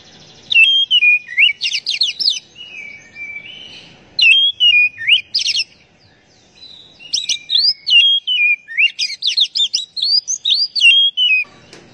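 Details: Oriental magpie-robin song played to prompt captive birds to sing: bursts of rich whistled, warbled phrases, high and varied, with quick trills and rising-falling slurs, in three loud runs separated by short pauses.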